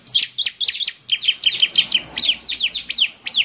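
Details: Bar-winged prinia singing a fast run of loud, high, zigzag chirps, about three per second, bright and emphatic throughout.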